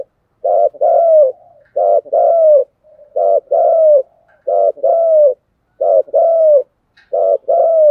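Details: Spotted dove delivering thúc gù coos nonstop: about six evenly spaced pairs, each a short burred note and a longer falling coo, with soft trailing murmurs between some pairs.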